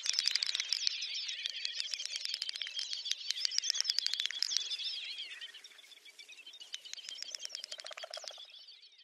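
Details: Great Snipe lekking in Ryazan oblast, Russia, April 2019: a rapid, dense stream of dry clicks mixed with high, bubbling, warbled twitters, several males overlapping, fading toward the end.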